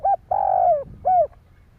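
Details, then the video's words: Spotted dove cooing to stimulate other doves: three low, mellow coos in quick succession, a short note, then a longer slightly falling one, then another short note, all within about 1.3 seconds, with faint low background rumble. "Tiếng chim cu gáy kích bổi"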